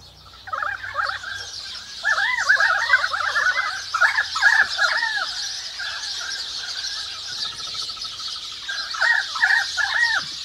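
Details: Several currawongs calling in a forest, giving bursts of arched, ringing notes in quick clusters with a lower echoing harmonic, over a steady high chatter of sparrows and other birds.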